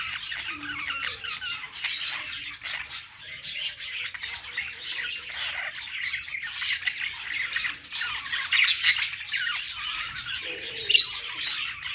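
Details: Budgerigars singing while perched, pouring out a continuous busy warble of rapid chirps, clicks and scratchy squawks, with several birds overlapping throughout.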